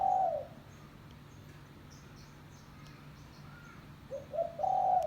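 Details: Spotted dove call used for luring doves, a coo ending at the start, then near the end two quick low notes leading into a long steady coo; soft high chirps in the background.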